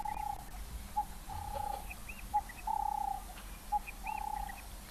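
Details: Double-banded sandgrouse call played back, a call heard from flocks of hundreds coming down to drink in early morning or late evening in southern Africa: steady mid-pitched whistled notes, some drawn out, with brief higher chirps between them and a faint background hum.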